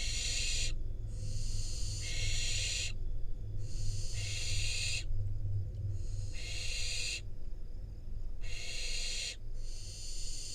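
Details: Wild barn owl fledgling in Israel being handed prey by its parents; repeated rasping, noisy hisses lasting one to two seconds, separated by quieter gaps, with a low droning hum beneath.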